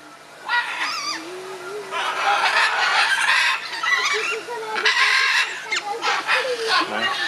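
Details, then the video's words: Squabbling scarlet macaws giving raspy screeches, some with short rising whistled inflections, in near-continuous bursts, while a low voice-like murmur runs beneath. "Ara arakanga - výměna názorů"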